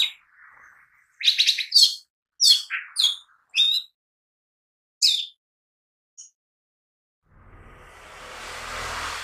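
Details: Lesser green leafbird (cucak ijo mini) singing vigorously, used as a lure and daily training material: a burst of sharp, high chirps and slurred whistles over about four seconds, then a single note, before a rising hiss of noise.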